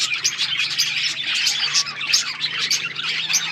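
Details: Budgerigars on February 18, 2024 chatter in a continuous high, scratchy warble of many overlapping chirps, over a faint steady low hum.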